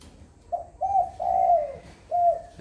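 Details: Tame spotted dove cooing naturally in the afternoon, 4:30. A clear phrase of four soft, hollow coos: a short note, a medium one, a long drawn-out coo that sinks at its end, and a final falling note.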